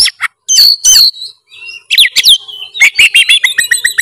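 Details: Oriental magpie-robin (kacer) in full, continuous song, used to get a quiet bird singing: loud varied whistles and rising slurred notes, then a quick run of sharp repeated chips near the end.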